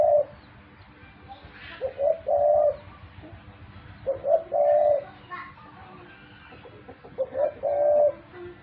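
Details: Quiet rhythmic cooing by a pet dove, several short stuttered notes then a longer low coo, repeated about every two and a half seconds over faint background noise.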